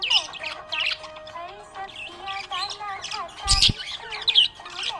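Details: Budgerigar chirping happily: chattering, squeaky high notes and short warbled phrases over a continuous low tone, broken by one sharp knock midway.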